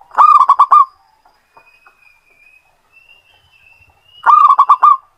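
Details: Zebra dove, a local Indonesian bird in full song, used to lure other birds: two bursts of five or six rapid, resonant coos about four seconds apart, with faint thin whistles in the quiet gap.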